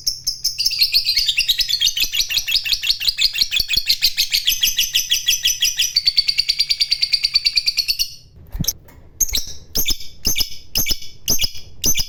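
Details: A fighter lovebird's long ngekek: a continuous rapid chatter of high, slightly buzzy notes lasting about eight seconds, wavering in pitch, followed by a series of separate sharp chirps.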